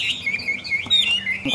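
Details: Brief burst from a caged Chinese hwamei outdoors during rain. Clear, high whistled slurs rise and fall in quick succession.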